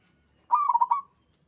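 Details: Local zebra dove singing: one clean, rapid, trilled coo of several pulsed notes lasting about half a second, in a quiet setting.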